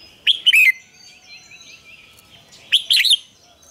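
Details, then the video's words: Morning song of a red-whiskered bulbul, double-note wild style, recorded as a lure for training. Two matching short phrases of bright, slurred, warbling notes come about two and a half seconds apart, with soft twittering between them. "luyện chào mào hót sáng, Ép chào mào hót âm kép già rừng hay tuyệt!"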